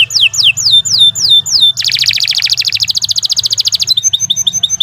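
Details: Canary in long, continuous song, used as a tutor recording for training songbirds. High whistled notes sweep downward, repeated five times, then break into a rapid buzzy trill and finish with quick, bright chips. A low hum runs underneath.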